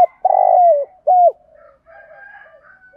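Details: Spotted dove giving a cooing sequence in the style called 'thúc gù', with a 'giọng thổ' voice: a long, even, low hollow coo sliding down at its end, then a shorter falling coo, followed by faint softer background sounds.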